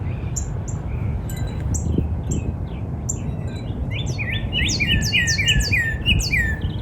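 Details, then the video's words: Spring backyard with a northern cardinal: sparse high chirps from other birds, then a dense stretch of repeated slurred whistles layered with higher twittering in the last few seconds. "Real Natural Spring Cardinal Bird Sound"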